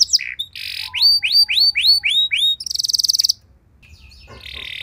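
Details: Canary song used to trigger other canaries into song: a few buzzy notes, six curved whistles with a soft low tone beneath, then a fast high trill before the singing fades to quiet.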